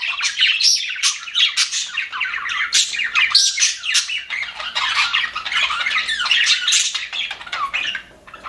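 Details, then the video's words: Aviary flock of happy budgies keeping up a busy mix of chirps, warbles and harsh squawks, many voices overlapping without pause, tailing off slightly at the very end. "HAPPY BUDGIES SOUNDS"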